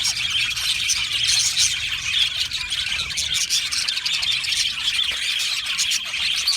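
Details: Singing and chirping of an Australian budgerigar colony, a steady, dense chorus of high twitters, trills and whistled chirps from many birds with no quiet gaps.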